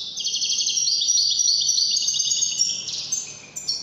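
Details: Widani European goldfinch in full song, a dense stream of fast, chattering, high trills and tinkling notes with slight background hiss.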